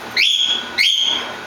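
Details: A pet bird that recently learned to scream like a cockatiel gives two shrill whistled calls that sweep upward and then hold steady.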